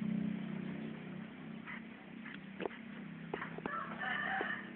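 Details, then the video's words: A wild-origin red junglefowl from Rokan Hulu, Riau, giving short, hoarse, broken crowing notes in the second half, over a low steady hum and faint background clucks. "Ayam hutan"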